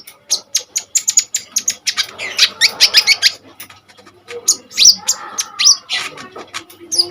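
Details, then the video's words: Common iora singing energetically as a lure and tutor for other birds: long run of quick high ticks and chips, a short busy rattling passage, then sharp downslurred whistles and chirps. "KONIN GACOR FULL TEMBAKAN SADIS"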